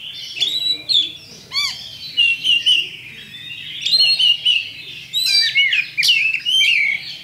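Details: Oriental magpie-robin champion lure song intended to set other birds fighting: bright rapid whistled phrases, buzzy trills and sharp upsweeps in irregular bursts, with a steady low hum beneath.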